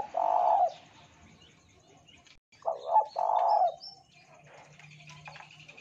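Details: Spotted dove cooing, played as a lure to make other doves sing. The end of one long coo is followed after a pause by a full phrase of two clipped notes and a long low coo. There is light background noise and a faint hum.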